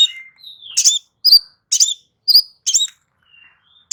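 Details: Crimson sunbird song meant to coax a silent bird back into singing: a gliding whistle opens, then roughly two sharp, high, metallic chirps per second, each bright and clipped, ending with a soft thin whistle.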